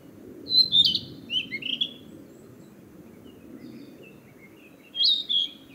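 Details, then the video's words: Narcissus flycatcher singing to mark its territory after returning from the south to breed: a lively phrase of clear, descending whistles, a quieter spell, then another short whistled phrase over a low background hum. "キビタキ!七色のさえずり[Narcissus Flycatcher]"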